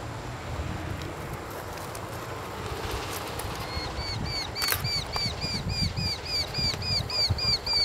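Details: Eurasian hobby (Falco subbuteo), call.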